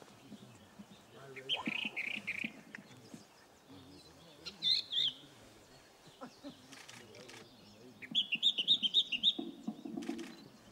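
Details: Firethroat singing in Sichuan, China, 14 May 2014: bright, high warbled phrases in three short bursts, the last a quick run of repeated sweet notes, over a soft low background murmur.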